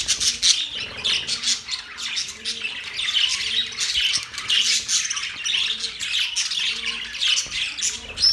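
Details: Budgerigars squawking and chirping together in a lively, scratchy babble of high notes, over a faint, regular low tonal pattern.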